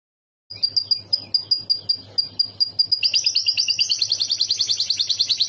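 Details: Canary song played as tutoring material for a lovebird to copy: a steady run of sharp, high whistled notes repeated about twice a second, then at three seconds a fast, dense rolling trill takes over.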